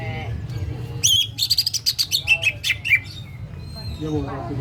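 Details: Greater green leafbird, a champion caged bird from Karawaci, singing a full 'ngetrok' song at great volume: a run of loud, sharp, rapidly repeated whistled notes with falling slurs over about two seconds, low hum beneath.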